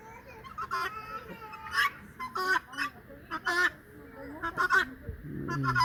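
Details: Domestic turkeys, a hen and a cock, give nasal, honking calls in short bursts, with people talking nearby.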